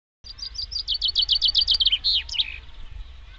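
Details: Common chaffinch singing: a fast series of bright, slightly descending chipping notes that speed into a rattling trill, then end in a short emphatic flourish, all delivered in about two and a half seconds against a quiet background.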